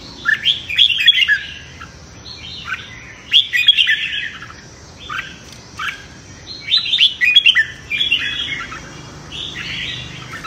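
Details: Red-whiskered bulbul in competitive singing, practising its morning voice; short warbled phrases repeat roughly every one to two seconds, cheerful and rolling.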